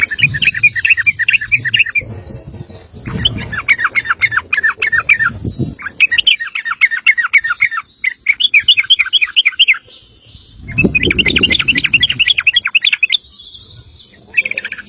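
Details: Sooty-headed bulbul male pouring out extended 'ropel panjang' song for tutoring other birds: repeated bursts of fast chattering notes, each run several seconds, with short gaps and occasional low rumbling noise.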